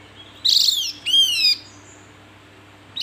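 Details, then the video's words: Two bright calls of a Javan white-eye in close succession: a buzzy, harmonic-rich note followed by a longer, slightly rising whistle, then silence apart from a low hum. "Panggilan burung Opior Jawa"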